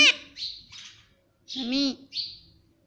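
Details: Pet parrot (mitthu) talking, said to say mummy and papa; a clipped opening sound, soft breathy chirps, then one sustained, harmonic, arching utterance followed by another hissy high note.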